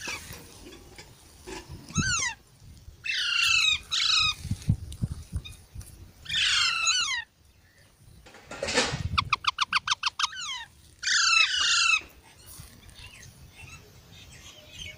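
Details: Baby parrots calling in bursts of harsh, descending, harmonic squawks, each run of notes sliding downward, with brief pauses between bouts and a low rumbling background.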